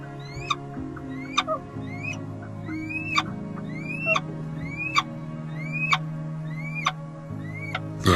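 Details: Little Owl giving a soft contact call used between males and females: short rising, whistled notes repeated roughly once a second, about eight in a row, over steady background music, ending with a sharp click.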